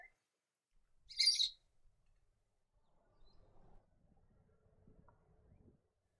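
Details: A comb-crested jacana in lily-pad wetlands around Cairns, Queensland, gives one brief, shrill, squeaky burst, high-pitched and harsh, followed by a faint low background rumble.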